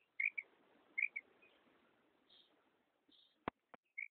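Female common quail giving short, high paired chips, then a pause before another pair. Two sharp clicks sound near the end.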